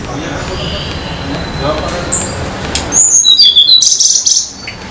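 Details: In the wild at Banyuwangi, Indonesia, a Sunda laughingthrush sings energetically: a quick cascade of high, sharp whistles lasting under two seconds, after a quieter stretch of background noise and one faint high note.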